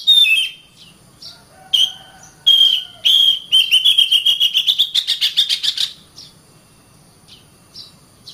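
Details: Caged-bird training song of the Oriental magpie-robin: a few loud whistled notes, then a fast accelerating series of short clipped whistles rising slightly in pitch, ending abruptly before faint distant notes.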